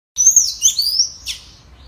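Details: Tanager singing in a song contest with a free wild bird: a loud, squeaky, high warbled phrase of thin rising and falling whistles. It ends with a sharp upward note.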